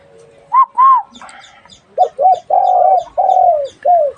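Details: Dove cooing in a quiet setting: two short rising coos, a pause, then a run of deeper, longer coo notes, the last ones drawn out and falling slightly; faint high twittering behind.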